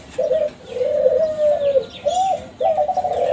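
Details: Lure recording of young caged Kelantan spotted doves bred from contest champions, meant to make other doves answer: steady hoarse coos in sustained low phrases, one rising-falling note, then a rapid rolling coo, faint chirping birds in the background.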